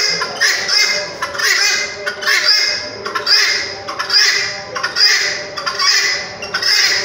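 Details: Red-wattled lapwing calling: loud, harsh, strident notes in a continuous series, each a bright piercing burst, coming roughly once a second with barely a pause between them.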